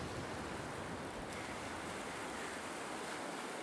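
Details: Steady roar of ocean waves and surf with wind on the microphone at a Byron Bay coast in Australia, no animal calls.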